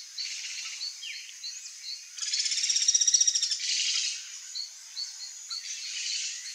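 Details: A wild Ringed kingfisher (Megaceryle torquata), Pantanal, gives a loud, harsh, rapid rattle lasting about a second, with softer high chirps from other small birds repeating in the background.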